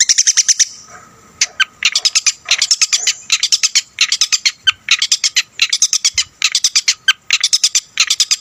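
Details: Harsh, rapid chattering from a Long-tailed shrike singing full mimicry to rile other shrikes: dense bursts of scratchy notes, each lasting about half a second and separated by short gaps.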